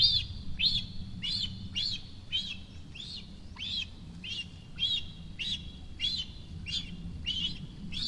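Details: Nest-bound cinereous vulture juvenile at Rascafría, Sierra de Guadarrama, performing its typical food-demand ritual on seeing a parent. A long even series of shrill, arched squeaks, roughly two per second, over a low hum.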